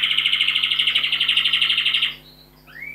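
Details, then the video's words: Canary kept indoors in a home study, one of several in an apartment, singing a rapid trill of bright repeated notes, about twelve a second for two seconds. After a brief pause comes a short rising whistle. A faint steady low hum sits underneath. "Kanári & madárdal a dolgozószobában | Singing bird in the study"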